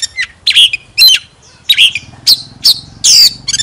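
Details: Oriental magpie-robin giving spaced harsh, squawky notes mixed with short whistles, about one phrase every second, over a faint low hum.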